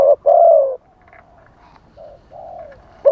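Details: A spotted dove acts as a live decoy to lure wild doves. One loud, long mellow coo follows a short note. Softer, more distant coos answer, and another loud note comes at the end.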